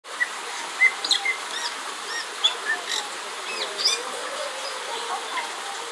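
Bali myna song: sharp, clear whistled notes and brief chirps at uneven intervals, with fainter chatter and calls from other birds throughout.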